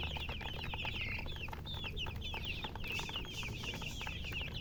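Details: Young chicks of domestic chicken peeping loudly and rapidly, clear high downslurred cheeps tumbling over one another in a continuous chorus with a low background hum.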